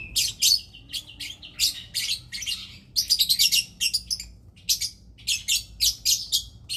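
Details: Mating lovebird producing a long run of rapid, shrill chattering chirps, dense harsh bursts repeated several times a second with a brief pause midway, high-pitched and squeaky throughout.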